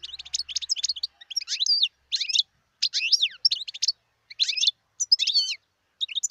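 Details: Wild European goldfinch delivering a lively jumbled song of tinkling twitters, slurred up-and-down whistles and short liquid trills in quick bursts separated by brief pauses.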